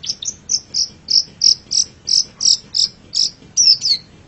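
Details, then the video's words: Long-tailed shrike song, a recording used for training songbirds: a steady series of short, high, sharp chirps repeated about three times a second over a low background hum. "Masteran Suara Pentet Cendet"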